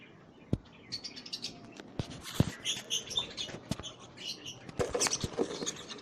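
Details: Budgerigars chattering with a steady run of short, high chirps and warbles. Sharp clicks and thumps, like wingbeats or perch knocks, break in at intervals.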